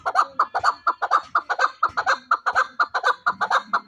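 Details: Chukar partridge kept for fighting, delivering evenly spaced, throaty chuck calls at about two per second, strong and regular, with a faint low murmur near the end.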